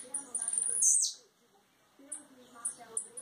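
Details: Blue-black grassquit from Campos dos Goytacazes, Rio de Janeiro, just coming out of molt; a thin, very high buzzy note slides downward, then short high buzzes follow, with a low voice murmuring faintly underneath.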